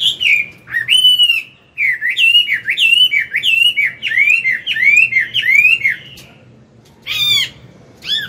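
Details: Morning song of a wild-caught adult Chinese hwamei, sung to train a young bird: loud, rich whistled phrases of rising and falling slurred notes, repeated rapidly for six seconds, then a short pause and a final burst.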